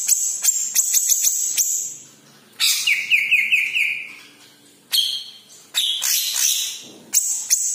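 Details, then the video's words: Yellow-headed green leafbird, used to get other kept birds singing: high sharp ticking notes, then a varied run of descending whistled slurs, chirps and buzzy trills. "KICAU BURUNG CUCAK IJO KEPALA KUNING"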